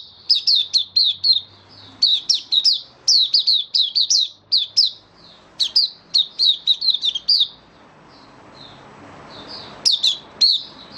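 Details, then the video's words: Kept white-eye, recently dewormed and on health supplements, in full song in May 2022: rapid bursts of high, thin chirping notes in quick clusters, repeated steadily, with a short quiet pause before a final burst. "Mata Puteh Kitaro buka sing"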